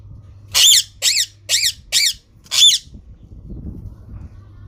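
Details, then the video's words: Green parrot giving harsh, high, grating screeches: four rapid squawks in a row, then a fifth after a short pause, each about a quarter second long. A low steady hum and faint rustling sit underneath. "Green parrot talking natural sound"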